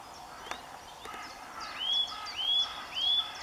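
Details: Sunlit Eurasian nuthatch in early March: after a quiet start with a few clicks, three even, upward-sweeping whistles follow at regular intervals of about half a second, amid soft distant bird chatter.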